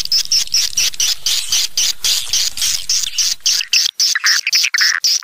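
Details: Swiftlet lure call used to attract swiftlets to nest houses: rapid, chattering high chirps repeated several times per second, with a buzzy rasping texture throughout.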